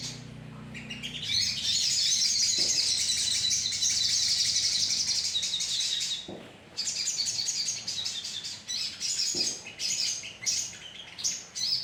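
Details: Lure recording of a colony of sogon birds. Several seconds of unbroken high chattering break into choppy bursts of quick chirps, about three per second, with a few sharp clicks and a low hum at the start.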